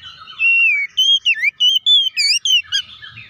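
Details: Oriental magpie-robin, used to provoke other magpie-robins into singing, gives a rich run of loud whistles: a long descending note followed by quick twisting phrases, about eight notes in three seconds.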